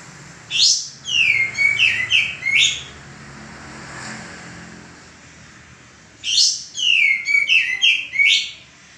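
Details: Male common iora singing, a bird used for training cage birds: two bursts of quick repeated slurred whistles, each ending in an upsweep, with a soft vehicle-like hum in the pause between them.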